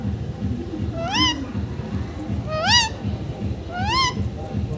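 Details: Pet parrot, locally called mithu, being taught to talk with phrases like katore and ku ku: three loud, rising, harmonic-rich calls about one and a half seconds apart, each sweeping upward, over a steady low rhythmic background hum.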